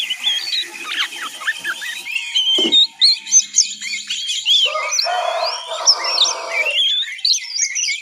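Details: Juvenile oriental magpie-robin in ngiriwik practice singing: dense twittering of high chirps and warbles, briefly joined by a rough buzzy burst midway, then more quick slurred whistles.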